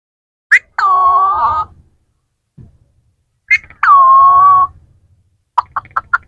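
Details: Parrots talking: two drawn-out, harsh, nasal vocal sounds, each lasting about a second and each opened by a short sharp note, then a quick run of five clipped syllables at the end, with quiet pauses in between.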